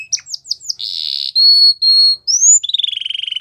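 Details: Belgian canary singing a varied song: quick rising whistled notes, a buzzy trill, two long pure whistled tones, an upslurred whistle, then a rapid repeated trill at the end.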